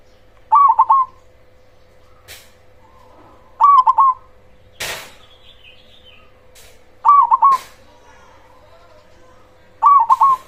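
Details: Zebra dove of the cemani type with a big voice, singing a provoking lure song. Four rolling coo bursts spaced about three seconds apart, with several sharp clicks and a thud between them over a low steady hum.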